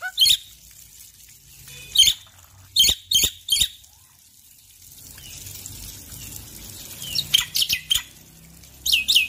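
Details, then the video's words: A male Black-winged myna in the morning gives loud, harsh, isolated notes in small clusters, then a lull filled with faint low rushing, before more sharp notes near the end. "Jalak Putih Jantan Gacor Pagi Hari"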